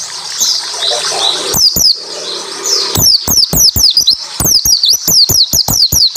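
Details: Japanese white-eye song for prompting other white-eyes to sing: after a hissy, rustling start, a rapid burst of piercing downslurred notes and clicks builds into continuous chatter.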